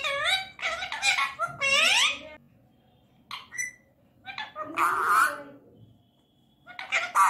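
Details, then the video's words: Indian ringneck parakeet talking: several speech-like phrases of stacked, rising and falling harmonic tones in the first two seconds, then a pause, a short note, and a harsher, noisier squawk-like burst near the end. "indian ringneck talking parrot"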